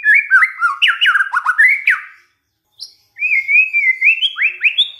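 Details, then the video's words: Shama lure recording intended to provoke rival white-rumped shamas to sing: quick slurred up-and-down whistles in a rich run, a silence, a single thin high note, then a rising whistled phrase. "DICOBA PANCINGAN MURAI INI, pasti murai tak tahan diam"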